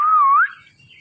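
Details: Indian ringneck parakeet that talks, giving a single loud, pure whistle that dips slightly and then rises before fading into near silence.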